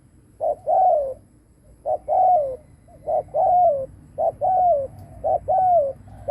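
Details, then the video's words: Luring coo of a decoy spotted dove: five paired phrases, a clipped first note and a longer downward-sliding second, recurring at a steady pace close to one per second. "Cu mồi đất gù kích bổi cực mạnh / Tiếng chim cu gáy kích bổi hiệu quả / cu gáy gù /Chim cu mồi gù"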